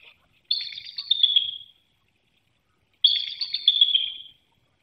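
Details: Bald eagle pair on their nest in Hanover, Pennsylvania, 18 March 2019, pre-dawn exchange between mates during incubation, captured by a nest webcam: two high, thin chittering calls, each about a second long and slightly falling, spaced roughly two and a half seconds apart.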